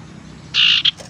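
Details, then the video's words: Tailorbird (sirtu teras) lure sound, used to attract wild birds and to stimulate reluctant caged tailorbirds to sing: one strong buzzy, rasping note held about a quarter second, then a short clipped buzz. "suara pancingan sirtu teras"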